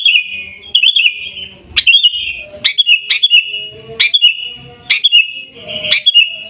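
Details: Gaya Garuda style song of a sooty-headed bulbul from Pidie, Aceh, Indonesia: clipped sharp note then a level ringing whistle, repeated roughly every second in a steady series.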